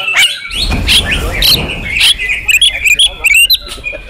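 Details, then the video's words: Caged female oriental magpie-robin singing imitated phrases. Loud broadband rustling noise at first, then a run of quick, sharp whistled chips and short slurred notes in rapid bursts. "KACER RUMAHAN IKUT GACOR BONGKAR ISIAN SERTA NGOTOT || KACER BETINA"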